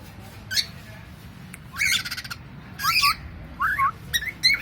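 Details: Pet cockatiel giving harsh, raspy squawks in bursts about a second apart, each rough and broadband with a rising then falling edge, plus a few short chirps, in a quiet room.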